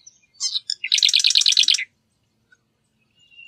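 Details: Marsh wren song: a few sharp introductory notes, then a fast, buzzy, rattling trill of evenly repeated notes lasting about one second. The song is heard once, followed by quiet.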